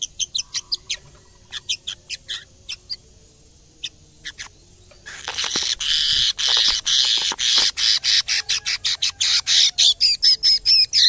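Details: Canary kept in a cage, reacting in full song to a camera seen for the first time: sharp separate chirps with gaps, then a loud buzzy trill that turns into rapid, evenly pulsed notes and whistled upslurs.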